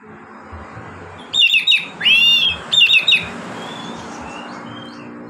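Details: Oriental magpie-robin singing a relaxed ngeplong-style song, used as a lure to prompt reluctant magpie-robins to sing: bursts of quick, bright repeated whistled notes broken by one rich slurred swooping note, with faint background hiss.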